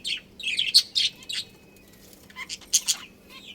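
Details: A breeding pair of budgerigars gives short high chirps and warbles in small clusters, a quiet pause in the middle, then a few more sharp chirps.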